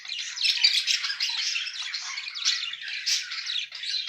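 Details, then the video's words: Paired budgerigars keep up a steady, dense warble of buzzy chirps, clicks and squeaks with no break. "Muhabbet kuşu eşli"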